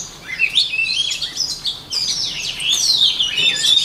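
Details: Voice-training song of a white-rumped shama: a dense, fluid stream of high whistles and rapid warbled trills that swoop up and down, barely pausing, getting louder and busier in the second half.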